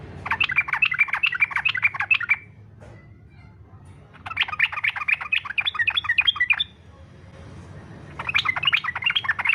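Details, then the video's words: Fighter-style yellow-vented bulbul song used as bait to make other bulbuls sing: three long bursts of dense, rapid chattering notes, each lasting about two seconds, separated by quiet gaps. "SUARA trucukan faghter cocok buat pancingan supaya trucuk ikut faghter"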